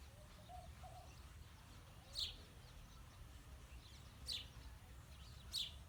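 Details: House sparrows, male and female, give three bright, harsh chirps spaced about two seconds apart over a quiet background with faint low tones.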